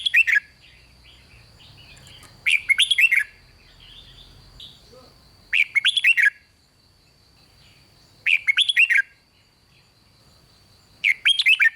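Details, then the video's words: Red-whiskered bulbul song played to excite other bulbuls, in the 'rik' style: short bursts of bright, warbled, chattering notes repeated about every three seconds, with a steady high whine running underneath. "เสียงนกกรงหัวจุก ร้อง ริก ยั้วให้นกคึกดีมาก"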